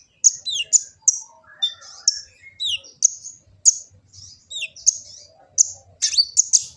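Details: Kolibri ninja sunbird from Gresik, East Java, recorded on an Android phone as a master song for training birds: short, high, sharp chirps and quick downslurred notes in rapid bursts, with faint low rumbling beneath.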